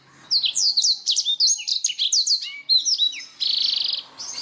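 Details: Black-throated canary song used as a master recording for training songbirds, especially canaries: a rapid, clear medley of high sweeping whistles and chirps, ending in a fast buzzy trill, then a few soft notes.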